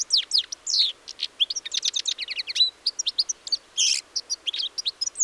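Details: A goldfinch sings on 4 April 2018: dense, hurried twittering of high chirps and slurred whistles, with one drawn-out wheezy buzz near the end, steady and unbroken against a quiet background.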